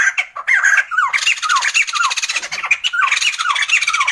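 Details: Sumatran laughingthrush in a loud chattering bout, with rasping buzzy bursts and short downward-slurred notes tumbling over one another almost without pause.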